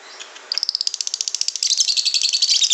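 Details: Lovebird, white-beaked, giving a long ngekek chattering song: after half a second of quiet, a rapid, high, pulsed trill begins and runs without pause, growing denser and louder toward the end.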